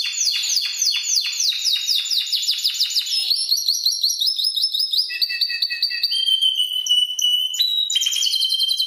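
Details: Tutor song from a Spanish timbrado canary for training other birds. Fast, downward-sweeping notes give way to smooth, sustained whistled tones and quick trills.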